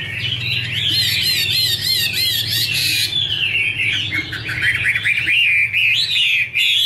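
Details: Dense, continuous 'te' song of a female Chinese hwamei, a male singing in the background: rapid rolling warbles and looping whistles with bright high overtones, barely pausing throughout.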